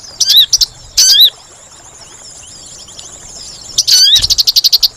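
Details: Sooty-headed bulbul trapping lure: two hooked whistles near the start, a quiet gap, then a whistle that runs straight into a fast string of pulsed chattering notes.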